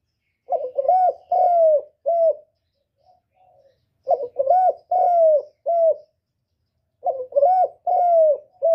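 A spotted dove coos in phrases of four or five low, hollow notes, with a long note near the end, repeated about every three seconds.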